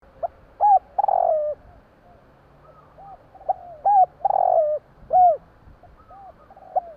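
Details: Javan spotted dove calling at night: a series of low, mellow cooing notes with bent, slurred phrases. Louder coos come in bursts about every second or two, with fainter, overlapping coos from other doves between them.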